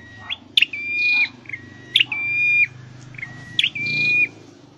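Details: Scarlet-headed flowerpecker in a cage, in song training. Three whistled phrases each open with a sharp high click-like flick and hold a long, flat, clear note. They are spaced roughly every one and a half seconds over a low hum.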